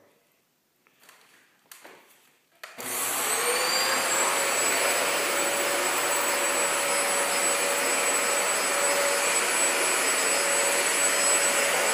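A few soft knocks, then a vacuum cleaner starts up and drones steadily to the end.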